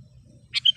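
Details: Sooty-headed bulbul giving one quick bubbly phrase of three notes after a low murmur of background noise, recorded as a lure for wild kutilang.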